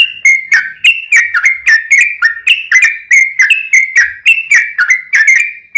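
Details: Lure recording of yellow-vented bulbul song meant to make caged birds reply: continuous, hurried bubbling whistles, each note sliding down, repeated nearly twice a second, loud and clean.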